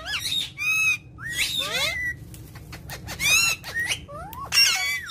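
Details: Indian ringneck parakeet making its natural calls: loud, harsh harmonic squawks alternating with shorter rising and falling whistled notes, several bursts over five seconds against a low steady background hum.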